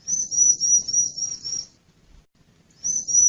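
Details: Male Bar-winged prinia calling: a thin, very high, slightly wavering trill held for about one and a half seconds, a short pause, then the same trill starts again. Faint low rumble underneath.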